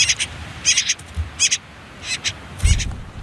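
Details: Common whitethroat chicks on their last day in the nest near a river among reeds and nettles: clustered rasping high chirps in quick groups, ending with a louder burst and a low thud.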